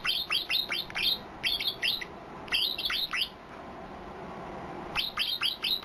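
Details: White-eye giving a strange, distinctive song: quick clusters of three to five bright, high, falling chirps, repeated several times with brief silences and light background noise.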